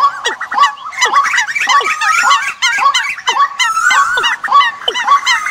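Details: Decoy bird calls for the migration season: a dense overlapping chorus of many birds, with sharp downward-sweeping whistled notes repeated almost twice a second over busy chattering trills.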